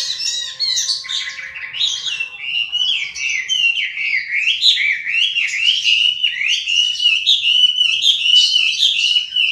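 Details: Hwamei song: a rapid stream of varied whistled and warbled notes, sliding and bouncing between phrases, delivered nonstop; a faint steady tone hums underneath at the start.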